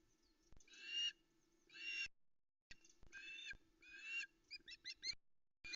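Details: On the misty Loch Arkaig nest a female osprey waits for fish, giving drawn-out harsh squealing calls followed by a short run of quick rising chirps.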